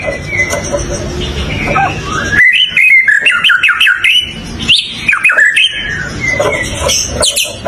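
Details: White-rumped shama song, with a soft, muffled start, then loud, quick, warbling whistled phrases full of upward and downward slurs and sharp high notes.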